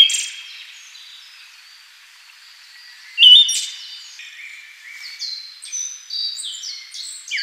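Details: Siberian thrush (Zoothera sibirica) giving high, clear whistled notes, one loud sharp note followed by a run of short, varied whistles; faint background hiss throughout.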